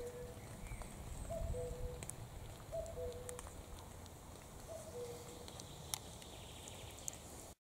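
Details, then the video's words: Common cuckoo repeating its two-note cu-coo, a brief higher note then a lower, longer one, three times at intervals of about one and a half to two seconds, with low rumbling noise and a few clicks. "the cuckoo song"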